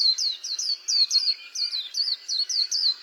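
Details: White-eye in steady song, pouring out rapid high whistled notes, each bending downward, about four per second without pause, with faint lower warbling behind.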